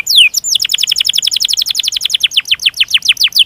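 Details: Canary song used as a master recording to stimulate other canaries: one long downslurred whistle, then a fast roll of high descending chirps repeated steadily for three seconds.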